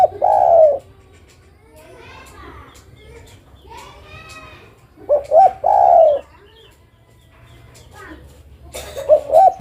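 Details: Female spotted dove calling to a male, the tail of one long coo, then a full phrase of two short rising notes and a drawn coo, with softer harmonic voices in the gaps and a final phrase beginning.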